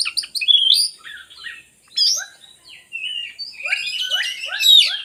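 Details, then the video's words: Kacer song for luring lazy oriental magpie-robins into singing. Varied whistled notes and scratchy calls come in bursts separated by short pauses, with a series of short descending chirps repeated near the end. "suara burung kacer bagus untuk pancingan kacer malas bunyi"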